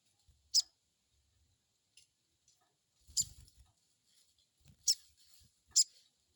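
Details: Crested jay crecet call as a lure to make a bird answer: a few piercing high chirps at uneven gaps, the later ones closer together, with faint rustling between.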